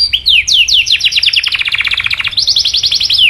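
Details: Canary singing to spur other canaries into long rolls: quick downslurred whistles that accelerate into a fast rattling trill, then a higher rapid run of notes.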